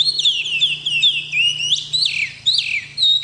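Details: Melodious kacer, the oriental magpie-robin, pouring out unbroken song of loud downslurred whistles and rising sweeps, phrases following one another closely, with a steady low hum underneath.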